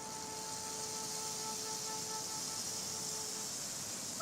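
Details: A steady mechanical drone with several sustained tones sits over broad airy hiss, like a vehicle or engine running, and no animal calls are heard.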